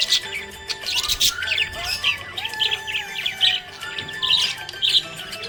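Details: Happy budgerigar giving rapid, scratchy chirps and short warbled twitters in quick bursts, with brief squawky notes, over steady background music with sustained tones.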